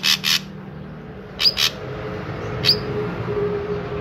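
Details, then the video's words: Drongo in a recording used to prompt other drongos to sing: harsh raspy double bursts, then a pair of sharp high notes and one more bright chirp, over steady low hum. "Burung Srigunting Gacor I Ampuh Untuk Pancingan Burung Srigunting Agar Ikutan Gacor"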